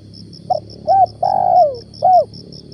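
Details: Decoy spotted dove calling one Ramadan morning while hunters lure wild doves down: a brief rough note, then a clear coo, a long drawn-out falling coo and a closing coo, with insects trilling behind.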